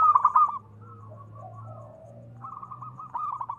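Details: A local zebra dove calls with soft, mid-pitched cooing notes: a short burst of stuttering notes, a drawn-out murmur, then a rapid staccato series of bubbling coos.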